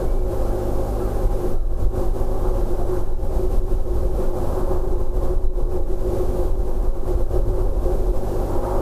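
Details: Heavy low engine or train rumble fills the recording throughout, with no animal calls.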